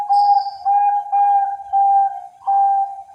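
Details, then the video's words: Zebra dove of the Bangkok perkutut type from Cilacap breeders, Java, sings five loud, even coo phrases at a steady low pitch. Each lasts about half a second, with short gaps between them. "SUARA PERKUTUT BANGKOK"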